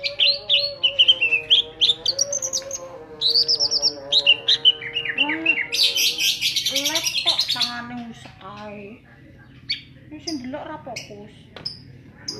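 Greater green leafbird pouring out a fast, varied song of bright whistles, slurred high notes and buzzy trills, with harsh chattering bursts; a faint steady hum runs underneath.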